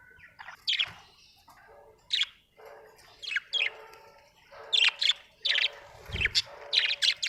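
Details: Budgerigar chirping busily: sharp high notes mixed with softer warbling chatter, short bursts coming in quick succession over seven seconds, ending in a dense run of rapid chirps; one low thump near the end.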